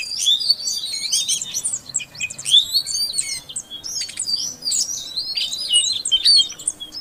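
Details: Female Oriental magpie-robin calling to prompt a silent male to sing; dense, varied high whistles and chirps, rising and falling sweeps packed closely together over a faint low hiss.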